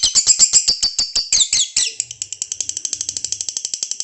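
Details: Female lovebird giving its ngekek long chatter before an evening bath, caged; loud, harsh wavering chirps at first, then a steady run of evenly spaced sharp high clicks, about eight per second, indoors.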